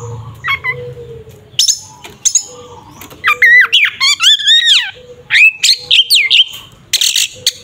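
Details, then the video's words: Oriental magpie-robin, kacer, in tarung ngeplong fighting style meant to provoke rivals; rapid bursts of harsh squeaky notes and sweeping whistles, some sliding downward, in clustered phrases with short pauses. "Suara burung Kacer TARUNG NGEPLONG sangat efektif untuk pancingan Kacer agar emosi"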